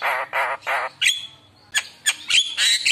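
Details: Javan myna lure song, lively and packed with varied fill-in phrases: three harsh, raspy bursts, a pause, then sharp high whistled notes and strident squeals that rise toward the end.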